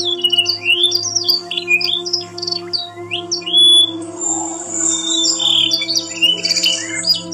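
A Yorkshire canary sings a fast, varied run of bright whistles, sweeping slurs and rolling trills, with a steady low electrical hum underneath.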